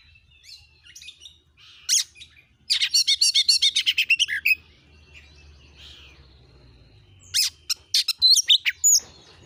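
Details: Oriental magpie-robin used as a singing lure for a kept bird: soft thin notes, then a loud rapid train of sharp repeated chirps, a quiet gap, and a final cluster of high whistled notes.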